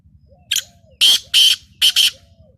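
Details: Black francolin (kala teetar) of the Lakka nasal strain, described as rare, gives a harsh, grating phrase: one short rasping note, then two pairs of loud scratchy notes, five in under two seconds, with soft low whistled notes between.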